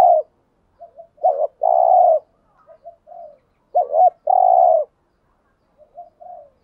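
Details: Spotted dove cooing used as a wild-dove lure: two strong phrases of paired short notes and a prolonged coo, separated by quiet soft coos, with gentle trailing notes at the end.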